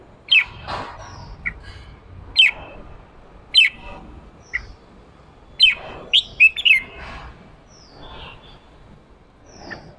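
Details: Red-whiskered bulbul, a male, giving 'ché' style song used to stir newly caught birds into singing; short sharp whistled notes with rapid downslurred chatter, bursts roughly every one to two seconds, quiet room background.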